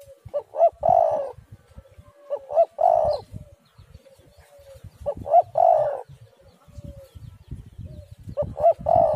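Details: Lure recording of a spotted dove. Mellow hooting phrases recur about every two and a half seconds, each with quick lead-in notes rising into a fuller rolling coo. Faint low knocks sound between phrases.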